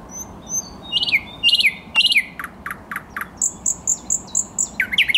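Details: Thrush nightingale song recorded 10 May 2021: loud, varied phrases of rich whistled notes and dry clicking strokes, then a run of evenly spaced sharp notes repeated about twice a second, ending in high whistles and a low rattling flourish.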